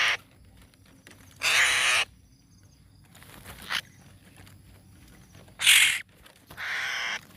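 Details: Young hill myna chick giving lure calls: four harsh, hissing, grating screeches of about half a second each, irregularly spaced across seven seconds, with quiet background noise between them.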